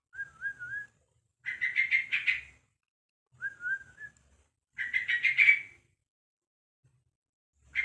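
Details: Young Yellow-vented Bulbul, one month old, calling to others of its kind: a short wavering whistled note followed by a harsh, rapid chattering burst, the pair repeated twice about three seconds apart, with another burst starting at the end.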